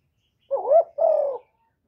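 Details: Spotted dove, a kept lure bird, giving one two-part coo: a rising hoot then a longer level coo, low and mellow, in a clean recording with no background noise.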